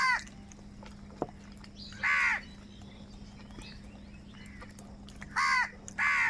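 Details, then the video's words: Crows squabbling over food give loud, rasping caws: one at the start, a single harsh caw after a pause of two seconds, then a closely spaced pair near the end, with quiet gaps and a low background hum. "Crow crying continuously and loudly - angry kauwa ki awaaz | কাকের ডাক Crow Sound Loudly"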